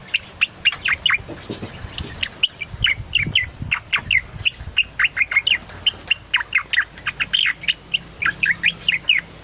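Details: Diligent cucak loreng bulbul song meant as long lure or master material: crisp, evenly spaced chirps and short slurred whistles, several each second, with a quiet background.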